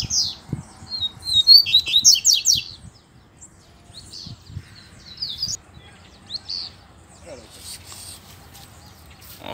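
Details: Double-collared seedeater singing in a dispute with a loose bird. One quick, bright, chattering song phrase of fast descending notes opens the recording, followed by quieter scattered chirps, soft clicks and a man talking.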